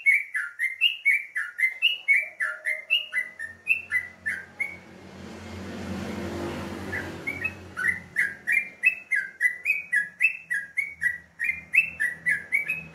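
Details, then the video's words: Morning song of a yellow-vented bulbul, a rapid stream of short bubbly whistled notes, each dipping then rising, about three or four a second; a passing rushing noise briefly masks it midway before the chatter resumes. "alarm pagi,suara burung trucukan"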